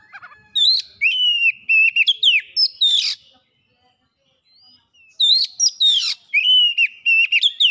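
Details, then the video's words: Oriental magpie-robin song, meant as a lure for other birds: energetic phrases of sweet whistles broken by scratchy buzzes, two long bursts separated by a brief pause with faint thin notes. "PANCINGAN KACER CEPAT GACOR LANGSUNG BONGKAR ISIAN"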